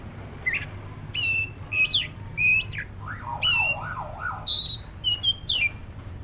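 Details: Oriental magpie-robin of the black-breasted form giving rising whistled notes repeated about twice a second, a rolling wavy warble, and high piping phrases, steady low hum beneath.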